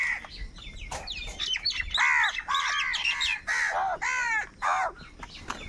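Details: Crows fighting for food: a noisy flock of overlapping harsh caws and squawks, with loud rasping bursts repeated nearly twice a second.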